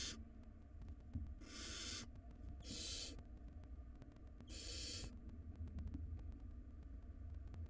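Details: Barn owl nestlings, wild, in a nest box tug-of-war over a large rodent. Three harsh hissing screeches come in the first five seconds, followed by quieter shuffling and a low background hum.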